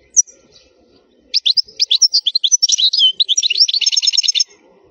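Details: Khalwi-style European goldfinch song for tutoring young birds: one high chip, then a fast run of twittering, liquid notes flowing into a rapid buzzy trill lasting about three seconds.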